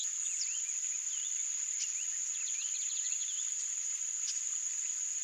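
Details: Yellow-rumped marshbird, wild in Brazilian nature, producing quick bursts of short curved chirps in a dense chatter near the middle, a few sharp high notes, and a continuous shrill insect tone behind.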